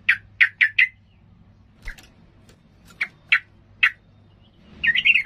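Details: Fired-up sooty-headed bulbul, its song meant to make rivals furious: four quick sharp chirps, a spaced series of single clear notes, then a rising bubbly warble at the end.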